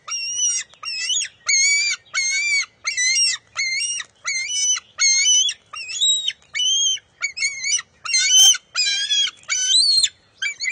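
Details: Nest-bound bald eagle eaglet, June 23, 2021, squabbling with its mother over a fish: a long, uneven run of about sixteen high, wavering squeals, some shorter and bent upward, with a couple of faint clicks.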